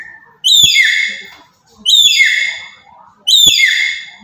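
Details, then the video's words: Three piercing screeches from a black-capped lory from Papua, loud calls used to provoke other birds; each bursts in sharply, then slides downward into a fading, rasping tail, evenly spaced about one and a half seconds apart. "Burung Nuri Kepala Hitam Dari Papua//Suara Lantang Buat Pancingan"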